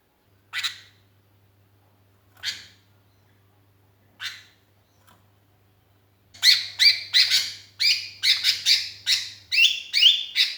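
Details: Sooty-headed bulbul, described as lonely and calling its companions, recording used as a lure: three spaced short sharp notes, then a dense burst of rapid harsh notes lasting about four seconds, with a faint low hum behind.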